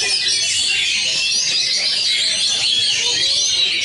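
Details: An Oriental magpie-robin in a song competition, singing at full power in the "nyengklek" style, pours out a dense, unbroken stream of high, squeaky chatter and rapid-fire trills for four seconds, copying flowerpecker-like notes.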